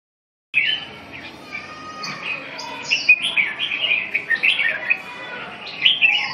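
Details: Red-whiskered bulbul singing after a brief silence: a dense run of chattering, warbled phrases with bright whistled notes, sustained over several seconds, with loud bursts near the end and faint background noise.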